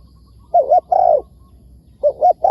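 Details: Wild spotted dove replying to a decoy bird, with a brief double coo and a drawn-out downslurred coo, then the pattern starting again.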